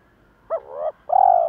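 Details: Spotted dove voices, male and female, used to lure and excite other doves: a short hooted note, then a longer, steady, mellow coo.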